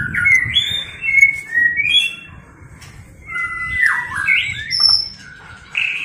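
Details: Female white-rumped shama voice, used to fire up males for fighting: varied whistled notes, some flat, some sliding down, others rising, in short bursts separated by pauses.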